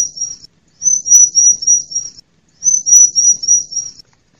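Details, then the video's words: Female bar-winged prinia call used as a lure to stir lazy-singing males into song and to attract wild birds in forest and gardens: two bursts of very high, thin, rapidly repeated notes, each about 1.5 seconds long, separated by brief silence. "ciblek mu malas bunyi ..? segera pancing dengan suara ciblek mp3 ini"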